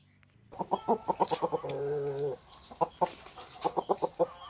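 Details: Roosters and hens at a chicken farm: rapid runs of short clucks, then a drawn-out tonal crow-like note, followed by more quick clucking in bursts.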